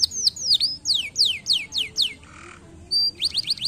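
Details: A canary sings loud, clear falling whistles, each sweeping down steeply, about four per second, pauses briefly, then resumes with quick rising chirps.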